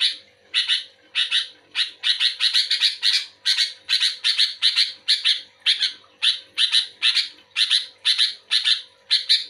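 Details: Sooty-headed bulbul singing actively in response to another bulbul: a fast run of harsh, buzzy chirps, about two per second, in uneven bursts with short gaps. A faint steady hum sits underneath.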